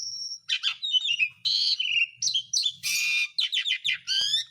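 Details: Varied Asian pied starling song for coaxing lazy birds back into song: a long high whistle, clustered chirps, slurred whistles and harsh noisy bursts alternating at a quick pace.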